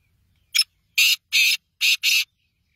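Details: Black francolin, locally called Kala Tetar, giving its call: one short scratchy note, then four loud, harsh, rasping notes in two quick pairs, all within about two seconds, against a quiet background.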